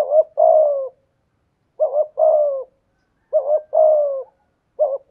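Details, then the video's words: Spotted dove decoy bird calling in the 'giọng thổ' style: three full low coo phrases, a short clipped note running into a long descending coo, about every one and a half seconds, with a fourth just starting. "Chim Cu Mồi/ cu gay giong tho cuc dinh"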